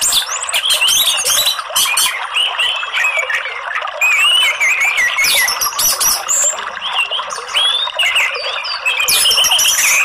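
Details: Orange-headed thrush sound meant as therapy and a lure to get a bird that rarely sings to sing freely, mostly chirping ('ngeriwik'): dense, busy run of high whistles, squeaks and twittering notes with rising and falling slurs.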